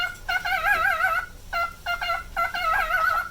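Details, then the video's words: Nine-year-old male cockatiel kept as a pet sings one long quavering vibrato whistle, followed by short clipped notes and another trembling phrase. "オカメのビブラートに笑いが堪えきれなかった件［Cockatiel Vibrato］"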